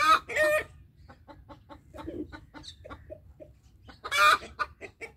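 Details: Alert call of a rooster: loud, harsh squawks open and close a passage of evenly spaced soft clucks, about three per second, with a brief rough note between them.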